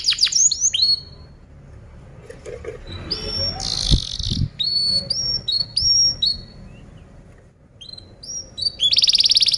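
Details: Canary singing a tutoring song for training other birds: bright whistled notes sliding down from high pitch, short chirps and buzzy bursts, broken by pauses and a loud broadband noise in the middle, with a low background rumble.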